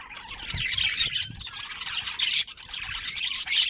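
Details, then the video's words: Budgies in a breeding colony give a steady murmur of soft chatter broken by louder sharp squawks about every second. "Cute Budgies Chirping Sounds"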